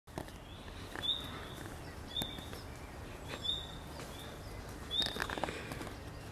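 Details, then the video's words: An alarmed common redstart in bushes on 16 June 2020 gives short, high, upslurred 'hweet' alarm whistles about every one to one and a half seconds, over a steady rustling outdoor background. "Pleszka - jej zaniepokojony głos w krzakach"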